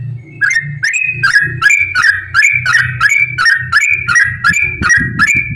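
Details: Yellow-vented bulbul singing nonstop ropel style, meant to stir other bulbuls into song: loud, bubbly two-part whistled notes repeated over one per second without pause, steady low rumbling behind.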